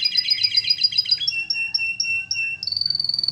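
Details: Lively singing canary on a songbird training recording: fast chattering phrase, then spaced clear whistles about every quarter second, finishing with a rapid high trill.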